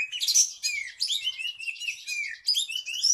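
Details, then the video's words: Oriental magpie-robin (kacer), a caged contest songbird, singing rapidly: dense scratchy high notes mixed with sliding whistles and chattering phrases, continuous with little pause. "KACER ini nyinyir... siang malam"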